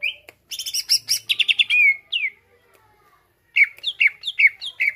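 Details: Greater green leafbird song for provoking other birds: dense chattering notes and a sweeping whistle, a silent gap, then a run of downslurred whistled notes.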